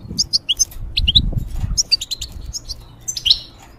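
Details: Caged European goldfinch kept to teach song to young hybrids gives scattered, separate chirps and short twittered notes with gaps between them, over soft low thumps and rustling.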